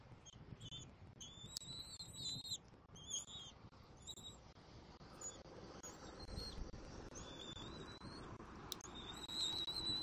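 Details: Bald eagle eaglet at its nest in Southwest Florida on 17 February 2024, tugging a rabbit pelt with its mother and swallowing it whole. Thin, high whistled peeps come in short repeated bursts over a steady broadband hiss.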